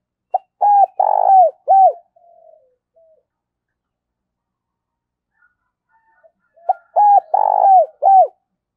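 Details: Lure calling of a spotted dove, giọng thổ style, meant to provoke birds: two identical low cooing phrases about five seconds apart, each a short note, an arched coo, a long vibrating rolled coo and a drooping end note, with silence between.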